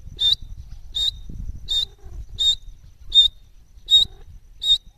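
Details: A pair of francolins (Irani teetar) in egg-laying season; one gives sharp, harsh, high-pitched notes, seven in about five seconds at a steady pace, over a low background rumble.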